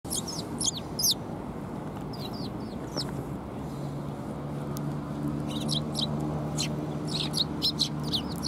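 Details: Sparrows arriving to be fed at a Tenmangu shrine on 18 December 2020: bursts of short, sharp high chirps from several birds, irregular and overlapping, some in quick doubled pairs, over a steady low rumble of background noise.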